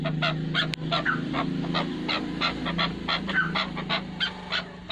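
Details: Repeated clucking notes from a chukar partridge pair, about three a second, partly masked by a steady loud low droning hum.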